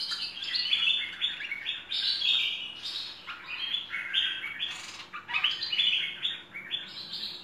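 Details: Cream-vented Bulbul tutor song, full fill: an unbroken stream of bright, jumbled warbles and quick chirps, lively and varied, over a faint electrical hum.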